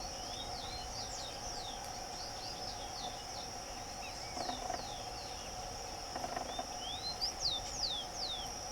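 Rufous-collared sparrow giving thin, high slurred whistles, some falling and some rising, over a steady insect drone and a low background hum.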